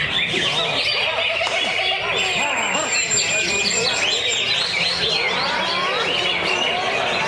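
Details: Caged greater green leafbird pouring out a dense, nonstop stream of quick slurred whistles and chattering trills, packed with rapid varied notes and mimicry.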